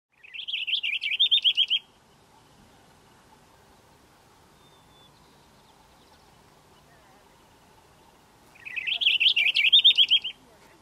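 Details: Purple finch singing along Wolf Ridge trail near Tennessee Valley, California: two fast, rich warbles of about a second and a half each, some seven seconds apart, over a faint steady hum.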